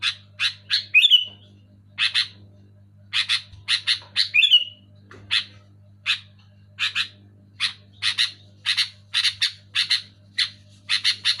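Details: Sooty-headed bulbul chatter, loud and clear, suited to stimulating lazy bulbuls: a long series of scratchy buzzy notes in clusters, twice broken by a piercing slurred squeal, with a soft hum underneath.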